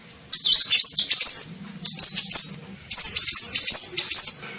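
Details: Sunbird known as kolibri ninja calling as a lure for birds: three bursts of thin, very high, fast chattering, each made of quick up-and-down chirps, with brief pauses between bursts.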